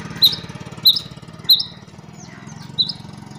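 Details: Female rain quails, brought outside on a sunny day after a cold winter and a month indoors, call freely: sharp, high, clipped chirps about every half second, four clear notes then softer ones, over a low background rumble.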